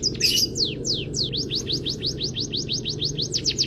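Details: Munia singing canary-style material as a training master to prompt other birds: a short rasping burst at the start, then evenly spaced, quick descending whistled notes against a faint low hum.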